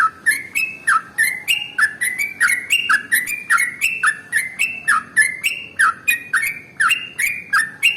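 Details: Trucukan, the sooty-headed bulbul, pouring out a very long ropel song used to get other birds singing: a steady, rhythmic chain of clicky, rising and falling whistled chirps, about three and a half per second, for eight seconds.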